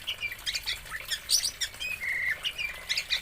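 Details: Oriental magpie-robin from Aceh, Indonesia, pouring out a varied, rapid string of high chirps, harsh squawks and short whistles, with one clear sustained whistled note near the middle.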